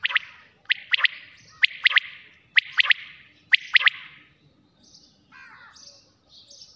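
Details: Night call of a quail: a rapid, sharp three-note phrase repeated steadily about once a second, followed by faint high chirps and a short rasping burst.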